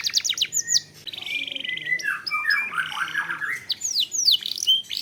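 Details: Canary singing as a lure to trigger other canaries: a quick trill opens, then a jumble of harsher chattering, warbled notes and bright whistled upslurs, busy and overlapping.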